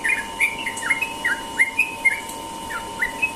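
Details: Sooty-headed bulbul singing ropel style in the morning, with clear, sweet whistled notes that swoop downward and upward. The notes come in a brisk, uneven stream, about one per second at the slower points.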